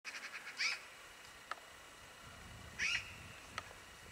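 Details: Hooded crow near Pavlodarskoe village, Pavlodar region, Kazakhstan, 26 October 2008, gives two short, harsh, rasping calls about two seconds apart, with a few faint clicks and ticks in between.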